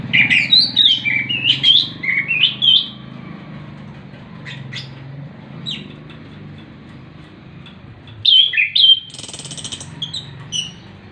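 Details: Orange-headed thrush singing relaxed, rolling phrases: loud clear whistled notes sliding up and down, then a quiet stretch, then another burst of whistles and a harsh buzzy note, over a constant low engine-like drone.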